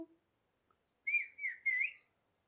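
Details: Parrot giving a clear whistled phrase of three linked notes that wave up and down, lasting about one second in an otherwise silent setting.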